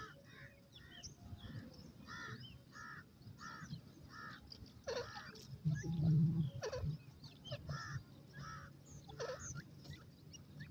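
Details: Grey francolin, locally teetar, giving a long run of harsh, evenly spaced call notes that pause midway and then resume, over steady low background rumble with a brief louder thud near the middle.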